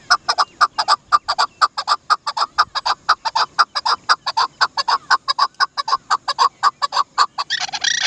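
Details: Long unbroken train of crisp clucking notes from a Dasi chakor, or Chukar partridge, about two per second and fairly regular, ending in a burst of harsher, noisier calling.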